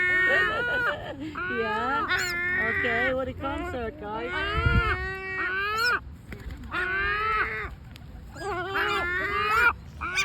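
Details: Several great black-backed gulls giving complaining calls: overlapping nasal wails and yelps that bend up and down in pitch, forming a continuous squabbling chorus with brief lulls.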